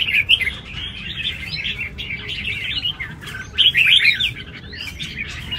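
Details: Red-whiskered bulbul singing with its arena fighting style at a large contest: dense, rapid chattering warbles, several notes a second, with two louder bursts at the start and near the end.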